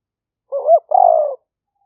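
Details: Spotted dove recorded live as a trapping decoy in the rainy-season rice fields of Roi Et, Thailand, in the liu fueang style. A rising, wavering opening note is followed after a short gap by a sustained, gently falling coo.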